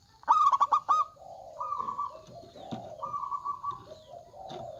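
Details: Local zebra dove with a big voice, males and females answering each other: a loud stuttering burst of rapid coos, then softer drawn-out purring coos from other doves alternating at lower and higher pitch.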